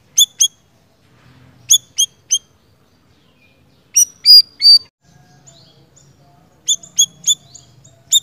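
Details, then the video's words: Siri-siri bird singing actively (gacor): groups of two or three sharp, high chirps, each with a downward sweep. The groups repeat with pauses of about a second, and a soft low hum runs underneath. "Suara Burung Siri Siri Gacor"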